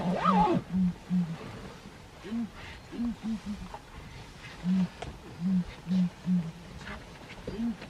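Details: Ground hornbill giving deep, hollow booming hoots, short low notes in loose groups of two or three, about a dozen across eight seconds, with a brief higher rising sound at the start and a quiet outdoor background.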